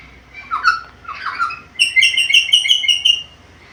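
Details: A talkative black-capped lory gives two harsh, jumbled squawks, then a quick run of about seven bright, evenly spaced whistled notes.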